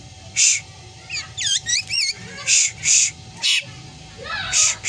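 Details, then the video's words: Black drongo, a bird that imitates cat meows and gives strange screams: scattered loud raspy screech bursts alternating with a few bent, twangy meow-like notes, repeated at irregular intervals. "Burung Sri Gunting Yang Doyan Ngomong Meong Dan Teriakan Anehnya"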